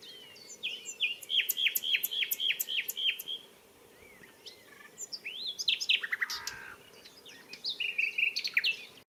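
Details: A Common nightingale sings close up at Barcombe, Sussex, on 30 April: a fast run of six sharp, repeated whistled notes, then varied rich phrases with clicks and a buzzy trill, over a low steady hum.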